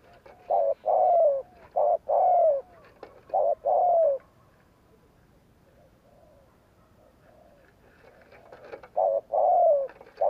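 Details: Spotted dove giving its gù kích luring coo: short coos, then longer coos that slide gently downward, in two bursts separated by a quiet stretch of about four seconds.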